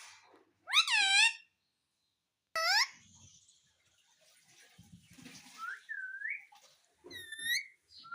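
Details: Talking pet ringneck parrot, said to say "mummy", voices two harsh, harmonic, speech-like squawks, then soft low rustling and a couple of brief thin whistled notes, ending with a final squawked syllable indoors.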